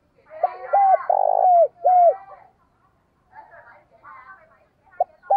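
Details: Spotted dove used as a lure bird, calling vigorously in the morning: a four-part coo phrase with a burred middle note and drooping ends, then scattered chirpy sounds and a fresh phrase starting.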